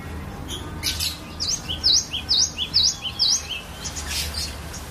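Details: Cinereous tit from a bird collection, singing as a training lure: five crisp, high V-shaped notes in a regular series, roughly two each second, each paired with a softer lower note, over faint low rumble.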